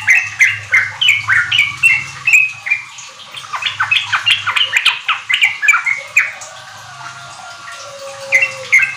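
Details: Sooty-headed bulbul song played to spur untrained kept birds into riwik ropel singing. Steady repeated chirps turn into a faster tumbling run, then slow to scattered notes, over a soft low hum.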